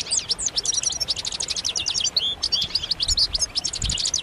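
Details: A group of European goldfinches gives dense, excited twittering and mating calls intended to make males sing. Crisp, high, tinkling chips repeat several times a second alongside slurred whistled notes, with almost no low background sound.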